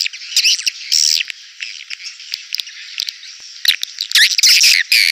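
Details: Swiftlet calls played to draw birds into a swiftlet house: soft twittering chirps, then louder harsh buzzy bursts and squeaky slurred notes near the end.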